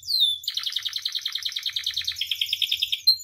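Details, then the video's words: Canary in captivity whose song serves to train and provoke others: one descending whistle, then a long fast rolling trill of buzzy pulses holding steady in pitch, ending with a short sharp note. "SUARA KENARI AMPUH [#42] MASTERAN DAN PANCINGAN KENARI GACOR FULL ISIAN"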